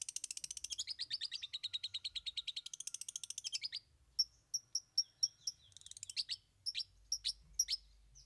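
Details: Long-tailed shrike delivering a song with three learned fill-ins: a long, rapid, buzzy chatter of high notes, then a series of separate sharp whistled chips with short gaps between them.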